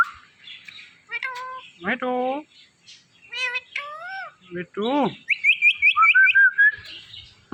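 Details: Indian ringneck parakeet talking on a Thursday night, a string of harmonic speech-like syllables and descending slurs, ending in a rapid stuttered series of about eight short notes.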